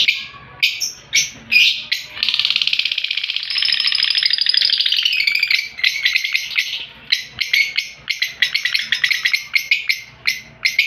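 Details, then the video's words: Opaline lovebird, a colour variety kept in an aviary collection, giving loud, dense, high-pitched chattering and chirping with rapid squeaky notes, a sustained buzzy stretch in the middle, then clusters of sharp chirps. "Beautiful Opaline Love Bird"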